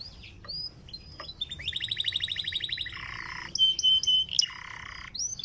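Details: Canary song meant to prompt other canaries to sing: high slurred whistles, a fast even trill, then buzzy rolled phrases and sharp pure notes, continuous for over five seconds with faint background hum.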